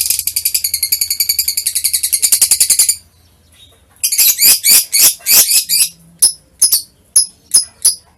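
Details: Lovebird chattering song recorded on 21 March 2023: rapid high buzzy twittering for three seconds, a short pause, then loud harsh chirps followed by spaced high squeaks.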